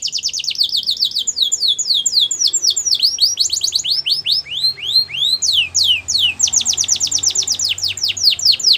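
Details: Canary training song meant to teach young canaries: a continuous fast series of sharp downslurred whistled notes, repeated several per second, shifting speed and pitch between tours, loud and unbroken throughout.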